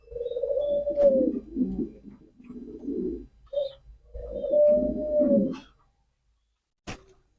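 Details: A male pigeon's coo phrase: a smooth drawn moan followed by gruff rolling notes, repeated twice, then quiet and a sharp click near the end.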